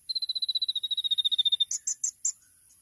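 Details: Champion sunbird, locally called kolibri ninja, singing in the rapid 'tembakan' style used as a training recording: a fast even series of thin high whistled notes, slightly falling, about eleven per second, then a few higher buzzy chips.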